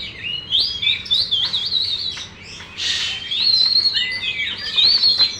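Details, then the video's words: Champion caged Oriental magpie-robin, tail held fully open, gives a rich song of wavering, warbled whistles, a burst of harsh rasping, then long pure whistled notes rising and falling. "KACER BUKA EKOR FULL DAN JUARA"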